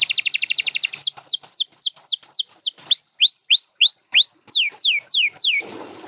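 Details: Canary delivers a quick rattling trill, then a steady string of high, downward-curving whistled notes about four per second, ending in a longer slurred note and a rustle.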